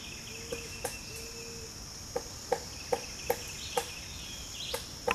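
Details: A female Pileated woodpecker chisels moss and dead wood from a rotten branch with sharp, irregular knocks, two or three a second, while feeding on probably ants; a male drums nearby, over a steady high insect drone.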